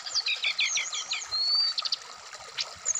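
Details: Brown-chested jungle flycatcher placed out in the morning dew, giving a series of six quick descending chip notes, then a clean level whistle and short high taps, with a faint steady hum.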